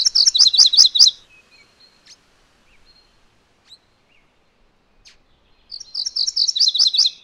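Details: Two rapid songs of MacGillivray's warbler, each about a second of doubled high chirps falling to a lower trill-like ending, separated by several seconds of quiet with a few faint soft ticks.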